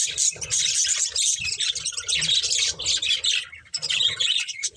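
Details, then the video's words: Pair of breeding budgerigars chattering loudly, layered squawky chirps and fast scratchy twitters filling the whole stretch with barely any silence. "Cute Budgies Chirping Sounds"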